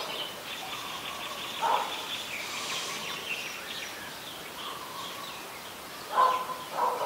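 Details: Adult red-whiskered bulbul in Ubon Ratchathani, Thailand, recorded on 3 January 2021: two short, slightly harsh bursts of notes roughly four seconds apart, over a steady hiss of background insects and faint distant chirps.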